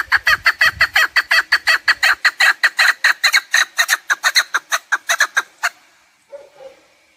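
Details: Chukar partridge giving a loud, rapid series of harsh chuck notes, about three per second, steady and unbroken for nearly six seconds before stopping abruptly, followed by a faint short low note.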